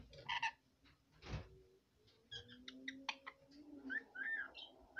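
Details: A female pet red lory chatters softly at bedtime in short, varied bursts of nasal squeaks, rising whistles and muttered notes, with brief pauses between phrases.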